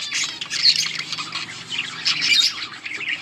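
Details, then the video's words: Yellow budgerigars recorded on August 20, 2024, giving dense overlapping chirps and chattering warbles, mostly high-pitched, in a continuous busy stream with brief louder bursts, suggesting several birds calling together. "Beautiful yellow budgies chirping sounds 💛 budgies talking"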